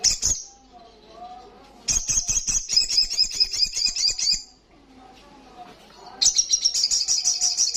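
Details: Olive-backed Sunbird singing loudly in the energetic 'gacor ngalas' style: rapid, high, shrill trills of buzzy repeated notes in bursts of about two seconds, separated by pauses with a faint low hum.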